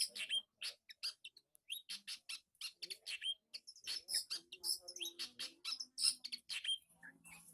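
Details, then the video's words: Long-tailed shrike, a kept bird reacting for the first time to a master recording: a rapid, dense stream of high, sharp chirps and short trills with brief pauses, some clear whistled notes, and faint low hum in places. "Burung cendet. Reaksi pertama kali di masteri"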